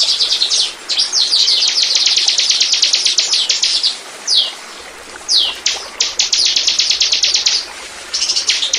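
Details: Lure song of a bar-winged prinia: rapid rattling series of high, sharp notes broken by short upslurred whistles and brief gaps, the fast chipping resuming several times.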